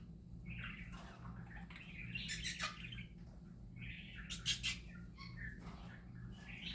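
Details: Happy parakeets singing in a loose flowing chatter of soft warbles broken by sharp clicky, raspy bursts roughly every couple of seconds, above a low steady hum.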